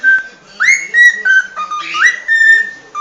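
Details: Cockatiel singing a quick whistled phrase of held tones, with a sliding rise into a steady note, then short level whistles stepping down and back up.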